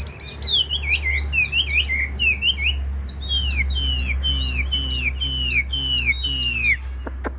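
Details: Tame, blue-eyed caged Chinese hwamei singing in a darkened room, singing back at a phone. It gives varied slurred notes, then a long series of clear down-slurred whistles about every half second, over a constant low hum.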